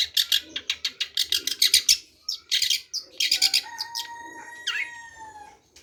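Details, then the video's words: Long-tailed shrike song of rapid, rasping chattering notes repeated in fast series, broken by short pauses, ending with longer steady whistles and a sliding, twangy note; a low background hum is faintly present. "Kicau Burung Centet Pastol"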